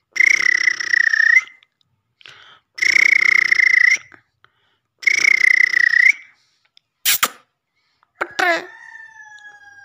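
Black francolin: three long, harsh, buzzy grating phrases about a second and a half each, with short gaps, followed by a few clicks and a falling squeal.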